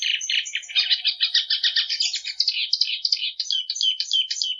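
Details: Plumbeous seedeater (patativa) in continuous song: dense rapid chattering trills, then clearer rising and falling whistled notes repeated in quick succession, with faint high thin tones above; no background noise.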